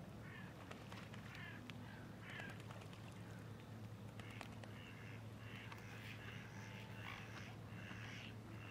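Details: Goosander (Common Merganser) at Zbiljsko Lake on 28 November 2023 gives faint, harsh, croaking notes in loose runs, roughly one per second, over a steady low rumble of wind or distant traffic.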